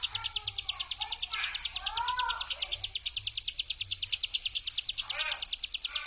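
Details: Ciblek gunung prinia delivering a 'brem' trill meant to provoke other prinias to reply: a continuous fast, even, high buzzy rattle over six seconds, with softer lower chirping notes from other birds in the background.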